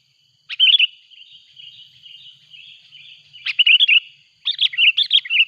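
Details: A Sooty-headed bulbul calls loudly while a rival comes in, taped as a trapping lure in the hills: three clusters of rapid, jumbled chirps, the last the longest, with a thin continuous high tone in the background.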